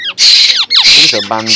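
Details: A hungry young Asian koel (black kokil chick) kept near a pigeon cage gives two harsh, rasping screeches, each under half a second, begging for food from its keeper; a man's voice follows briefly.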